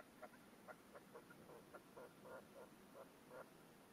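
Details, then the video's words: Red-legged partridge decoy in a cage on its stand, calling to wild partridges nearby and scolding the hens; a string of short, clucking notes at an uneven pace with a soft, hissing background. "PERDIZ CON RECLAMO"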